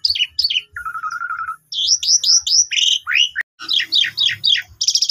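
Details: Lure recording of young Asian pied starlings meant to coax other starlings to sing: buzzy chatter, a steady whistle, rows of bright rising squeaks, a brief pause, then more quick repeated chirps and a harsh buzz.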